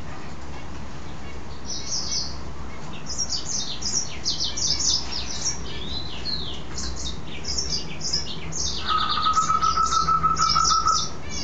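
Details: Caged mule goldfinch, a goldfinch hybrid, singing happily after a bath: fast, high twittering phrases of chirps and slurred notes, then a steady whistled trill held low beneath them near the end.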